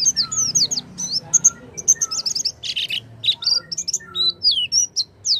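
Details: Oriental white-eye singing to prompt a silent bird: a rapid jumble of high, sliding chirps and squeaky notes, almost continuous, with faint low background noise.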